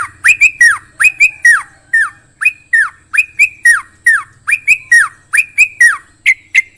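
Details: Yellow-vented bulbul (trucukan) singing: loud, lively phrases of sharp chirps that rise, then slur down, given in quick clusters through the whole stretch with brief gaps, plus a faint low hum underneath.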